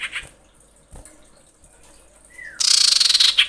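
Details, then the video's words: Female common iora in breeding condition screaming for males, used as a lure: brief chirps, a short falling whistle, then a loud, rasping burst of rapid pulses lasting about a second. "suara pikat sirtu/cipoh birahi menjerit memanggil jantan"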